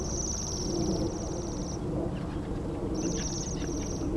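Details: Waxwings, part of a flock of over 60 birds feeding on apples in an orchard at East Malling Research, Kent, on 3 January 2011. High, thin ringing trills: one lasts nearly two seconds, then another follows after a pause, over steady low rumbling background noise.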